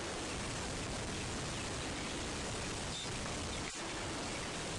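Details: Even hiss of falling rain on a sunrise safari drive on 2 January 2016, with a brief dip in sound and no animal voices.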